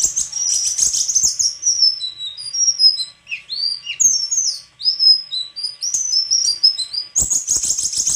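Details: White-throated flycatcher singing a varied, high twittering song of quick whistled slurs and chirps, some notes swooping down then up, with brief pauses; a short burst of broad noise near the end.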